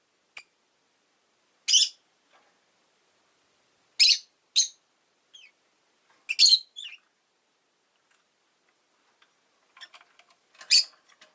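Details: Pet rosy-faced lovebird uttering isolated shrill, buzzy chirps, some in pairs, spaced by long quiet stretches, with faint scattered clicks near the end.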